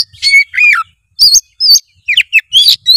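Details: Loud Oriental magpie-robin song for prompting a lazy juvenile to sing, with rich downslurred whistles, looping phrases and bright chirps; faint low rumbling in the background.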